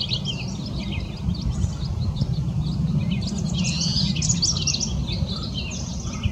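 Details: A house wren singing on the Lower Enchanted Mesa Trail, Boulder, Colorado, pours out a rapid, bubbling jumble of high chattering notes, busiest toward the middle, over a steady low rumble of background noise.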